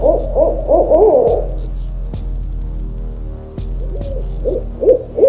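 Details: Owl hooting in fast bursts at the start, then a quiet stretch with low humming music, before a few more short hoots return near the end.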